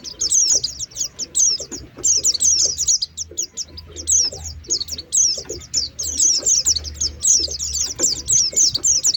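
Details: Lure sound for Oriental white-eyes meant to make birds descend at once. Bright, very high chirps come in rapid clustered runs, several voices overlapping, with brief gaps between bursts. Low background hum is audible.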